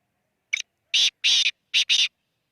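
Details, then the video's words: Black francolin recorded in Khushab, calling: harsh, grating bursts in a rhythmic phrase, a short clipped note followed by two long rasping notes and a closing pair, over complete silence. "kala teeter ki awaz"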